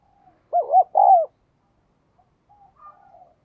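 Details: Spotted dove cooing: two quick, bouncing mid-pitched notes, then one longer, slurred coo dropping at the end. Faint softer coos follow from further off.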